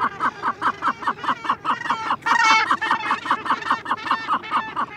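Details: Close-up of a Cape gannet chick begging with rapid, harsh, rhythmic calls, about two or three a second; a louder, grating adult call, one of occasional adult calls from the background, breaks in briefly partway through.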